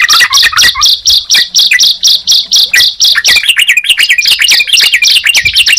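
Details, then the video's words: Sunda pied chat and yellow-vented bulbul in duet-like overlap; regular high chirps pulse steadily while lower bubbly whistles join, turning into quick looping phrases near the end. "Suara Ciblek Dan Trucukan Jika Dipertemukan"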